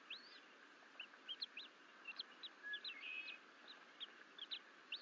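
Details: Twin bald eagle eaglets alone in their Fort St Vrain nest on 14 April 2024 while the mother is away, crawling out of the nest bowl; high, thin chirps, some arched and some short upslurs, come in scattered bursts over a steady hum.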